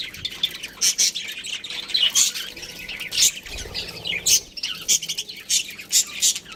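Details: Budgerigar breeding pair making harsh squawks and bright chirps in regular bursts about every half second to second, over a bed of low scratchy chatter.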